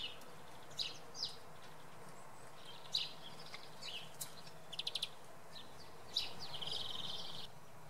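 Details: Common redpoll at Oksywie early in the morning: scattered sharp high chips and quick stuttering series of clipped notes, ending in a longer buzzy trill lasting over a second, with steady low background noise.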